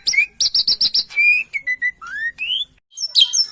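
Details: Local Javan pied starling singing vigorously: a rapid series of short chattering notes, then drawn-out clear whistles sliding upward, ending in high squeaky twittering, with nothing else audible.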